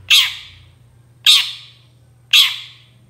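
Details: Long-tailed shrike, a recording meant to lure any shrike into answering: three grating, broadband notes repeated about every 1.1 seconds, each sharp at onset and trailing off, over a faint low hum.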